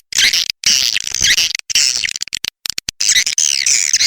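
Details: Swiftlet calls offered as a lure sound liked by swiftlets: dense, high, buzzy twittering chatter in bursts, broken by short silent gaps, with rapid chirps running through each burst.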